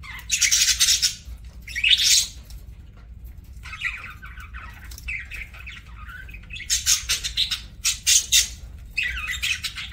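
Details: Parakeet chirping while eating: repeated bursts of scratchy, buzzy chatter and squawky chirps across ten seconds with short pauses, close and loud over low room hum.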